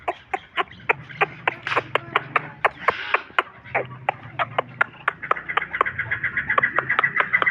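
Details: Hybrid chukar partridge giving a rapid run of sharp, clucking chuk notes, about four per second, turning into a quicker, more tonal chatter toward the end, with faint low background hum.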